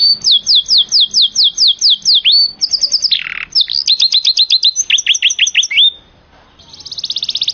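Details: Yellow canary singing a loud, high, fast song: rapid repeated down-slurred whistles, a brief buzzy burst, more quick slurred series, then a short pause and a sharp rattling trill at the end.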